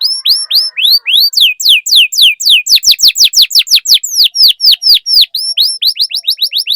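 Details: Canary singing a lively 'cuit cuit' trigger song meant to prompt young canaries to sing: rapid series of loud, high, down-slurred whistled notes, about two per second, shifting into faster, tighter slurs near the end.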